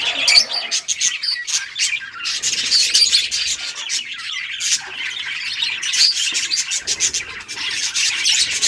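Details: Many budgies chatter together, a steady stream of rapid high chirps and scratchy squawks with no clear break.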